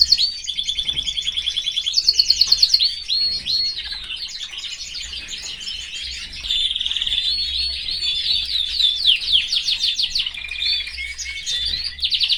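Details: Canary in a cage with its family, singing loud pulsed trills, whistled slides and warbled phrases, alternating fast rolling runs with quieter twittering passages.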